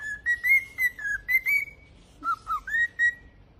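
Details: Pet cockatiel singing: a series of clear whistled notes near one pitch, some sliding up or down, in two bursts separated by a short pause, with rich overtones.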